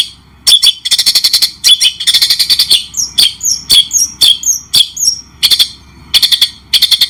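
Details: White-rumped shama, clear training song with pauses in long-tailed-shrike style: varied sharp chips, fast rattles and short down-slurred whistles in separated phrases.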